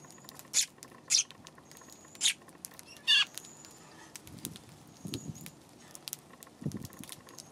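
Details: Sparrows in the afternoon of 31 March, giving short bright chirps, four clear notes in the first three seconds, then softer scattered chirps with low thumps and rustling.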